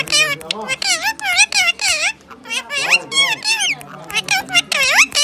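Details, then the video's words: A talking pet rose-ringed (ringneck) parakeet chatters in a shrill, speech-like voice, rattling off quick rising and falling word-like phrases, apparently Urdu/Hindi, with barely a pause. "MITHU TOTA talking"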